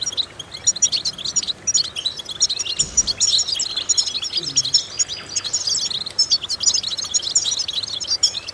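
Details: European goldfinch song used as a vocal exercise to stimulate and train goldfinches: rapid high twittering with liquid trills and short buzzy notes, continuous and dense, with a low thump near the third second.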